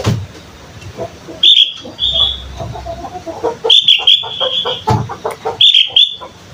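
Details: A sooty-headed bulbul youngster learning its song gives clear whistled phrases separated by quieter, jumbled chattering notes, with three louder whistled bursts spread across the recording.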